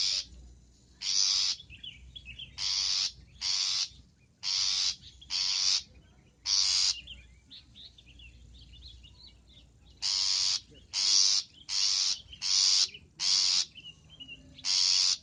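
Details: Long-tailed shrike on a recording made to tutor cage birds, full of fill-in song; a long run of grating rasps, a pause of soft high twittering, then a faster burst of six rasps.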